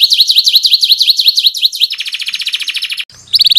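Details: Song of a canary used to coax quiet canaries into singing: a fast series of rising chips, then a lower dense rolling trill, a brief pause, and renewed quick notes.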